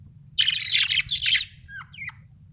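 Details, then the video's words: Budgerigars, described as Australian budgies, giving a burst of rapid, scratchy chattering warble followed by a few short rising and falling whistled chirps. "Australian budgies parrots l budgie chirping sound"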